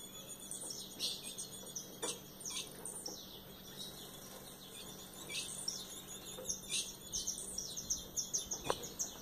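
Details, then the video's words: Captive female ultramarine grosbeak from a breeder's stock, which raised eight chicks this year, calling to stir up the male: short, high, sharp chips given irregularly in loose clusters, faint over a steady low hum. "ESQUENTA O SEU AZULÃO COM ESSA FÊMEA PRINCESA"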